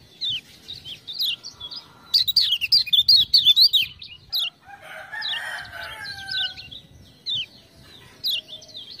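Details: Lemon-bellied white-eye from Lombok (kecial kuning) singing hard after a 'ciak-ciak' lure. Loud bursts of fast, high, zigzagging notes are mixed with dry rattling ticks. A brief rough, lower warble comes midway, then isolated sharp chirps.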